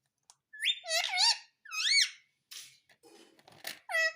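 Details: Talking Indian ringneck parakeet, reported to say mummy and papa, producing two squeaky, speech-like phrases with wavering pitch, followed by scratchy noises and a final nasal syllable in a small indoor space.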